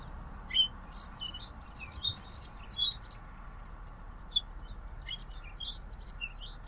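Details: High-pitched twittering of a common waxbill, a dense string of short squeaky chirps in the first three seconds, then scattered single notes, with a steady thin electronic-like tone and soft hum underneath.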